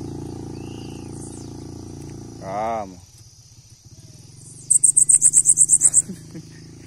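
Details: Bananaquit song: a quick run of about twelve high, thin, buzzy notes delivered evenly over just over a second. It follows a louder, lower, wavering call from another source and sits over a steady low background hum.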